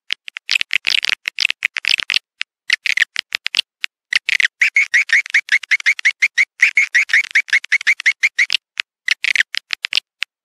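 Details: Swiftlets' attracting call for a nesting house: a fast series of thin, high chirps and clicks, nearly three a second, with a steady tonal note through the middle.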